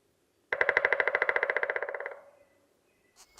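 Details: A Pileated Woodpecker in a Kentucky forest drums on a tree: one rapid, even roll of about fifteen knocks a second, lasting under two seconds and fading at the end. A brief faint rustle follows.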